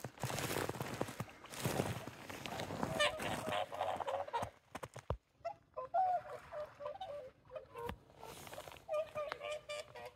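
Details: Whooper swans near sunrise at Kotan Onsen on Lake Kussharo, Hokkaido, Japan, on 26 February 2023. Loud shuffling and crunching noise comes first, then several birds give overlapping nasal, bugling honks that waver up and down in quick, irregular bursts.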